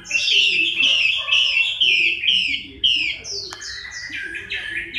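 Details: Moulting Chinese hwamei singing in October 2015. It gives quick, bright, downslurred whistled phrases about twice a second, then a higher trill-like run of short notes at the end.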